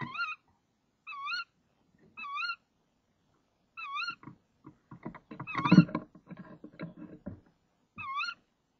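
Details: Tawny owl female inside a nest box at 05:28, 26 March 2014, calling while the male delivers a frog. Repeated wavering, nasal calls with harmonics, then loud rustling and clattering as she handles the prey.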